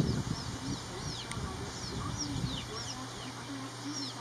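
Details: A pair of house sparrows building a nest, the male busy preening and showing off. Short, high, downward-sliding chirps come in quick scattered bursts over a steady low hum, with soft low rumbling at the start.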